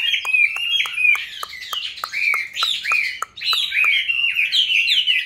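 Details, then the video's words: Chinese hwamei kept in a cage, raised from youth and now in its fifth year, singing loud rich whistles that rise and fall in short looping phrases, with sharp clicking taps between them and a brief pause midway. "Có những chú họa mi trong clip Q nuôi từ bổi sang năm thứ 5"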